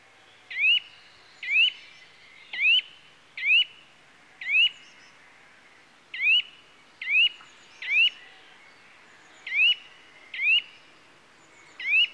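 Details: Eurasian nuthatch (Sitta europaea) calling: short, sharp, upward-sweeping whistled notes, about a dozen in twelve seconds, given singly or in quick pairs at uneven intervals over a quiet background.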